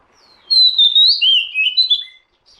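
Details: Oriental magpie-robin sound for luring birds: one loud phrase of sliding, sweet whistles, rising then falling, lasting under two seconds.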